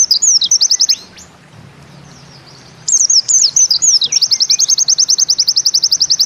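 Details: Bustomi-type white-eye (pleci) singing in the 'nembak ziperrr' style: rapid high trills of sharp notes, about nine per second, broken by a one-second pause and then resumed with looping slurred notes before the fast zipper run returns.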